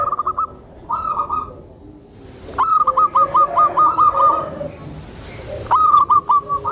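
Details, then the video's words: Gentle tame zebra dove whose voice coaxes other zebra doves and helps new birds settle; a brief phrase, then a long stutter of quick repeated coo notes in mid-clip and a final short burst, with light background rustle. "SUARA PERKUTUT JINAK, LEMBUT, DAN MEMANCING PERKUTUT LAINNYA...⁉️COCOK UNTUK TERAPI PERKUTUT BARU"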